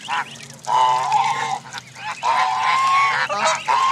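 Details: Canada geese at a gathering of goose families and goslings, Jess Ranch Lakes Park, May 23, 2014: long, drawn-out nasal honks, some sliding slightly upward, with short gaps and faint peeps between them.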